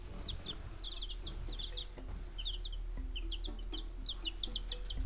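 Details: Five-day-old baby chicks in a brooder after a worm is added, giving a busy stream of short, high, downslurred peeps from several birds at once, with a steady low hum underneath.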